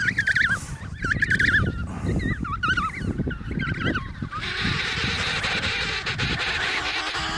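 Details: Emperor penguin chicks at the Snow Hill colony, Antarctica, in November 2018, give high, warbling whistles that rise and fall in quick trills, several birds overlapping, then a steady roar of wind takes over.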